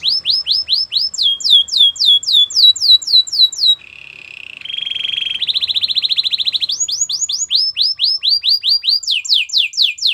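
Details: Training song of a Belgian canary: bursts of descending whistled sweeps, a buzzy low tour, then a fast rattling trill, and the falling sweeps return in quick repeated sets.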